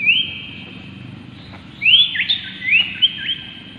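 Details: Common iora (Aegithina tiphia) whistling in a recording meant to excite other ioras into song: one long, sustained upslurred whistle, a pause, then a lively burst of rapid rising and falling whistled notes, over a soft low hum.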